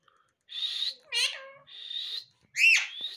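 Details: Rose-ringed parakeet kept as a talking pet parrot; four short bursts of mimicked speech, raspy buzzy phrases alternating with a sharp rising squeaky note, separated by brief silences.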